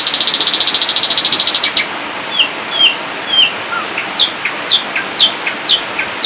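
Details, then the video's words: Ashy drongo singing in full bursts: a rapid buzzy trill opens, followed by separate whistled downslurs and then steep, sharply rising squeaky notes at intervals of about half a second. "Masteran Burung Sriguting Abu2 Full Tembakan"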